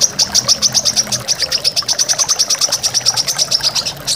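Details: Training recording of a brown-throated sunbird (korlap, kolibri kelapa) for caged birds. A steady, rapid string of sharp, very high-pitched notes runs at roughly six per second for the whole stretch.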